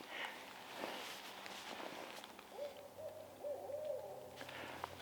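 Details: A Barred Owl in a northeastern US forest near a bog in early January gives a quick run of four or five low, rounded hoots in the distance, over steady wind and leaf rustle.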